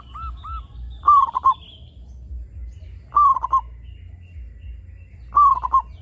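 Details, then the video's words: Local zebra dove (perkutut) song used to lure other zebra doves into calling: two short arched coos, then three stuttered phrases about two seconds apart, each a bright high note dropping into rapid tumbling coos, with low hum. "PERKUTUT LOKAL GACOR SUARA PALING AMPUH UNTUK PANCINGAN BURUNG PERKUTUT AGAR BUNYI"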